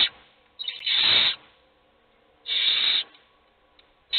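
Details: A nest box of hungry owl chicks, only one being fed: two long wheezy rasps over a second apart, each with a brief buildup, a third starting at the end.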